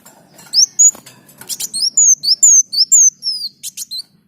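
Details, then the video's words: High, sweet sunbird (kolibri daun) song used to train other songbirds. Thin whistled notes slide down in pitch, interleaved with short clicky bursts, about two to three notes per second, over a faint low background hum. "Masteran Burung Kolibri Daun Gacor"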